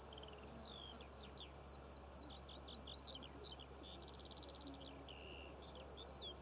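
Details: Skylark song over Cornish poppy fields, recorded June 2014: a continuous, varied high twittering of quick slurred whistles, buzzy notes and short trills over a steady low hum.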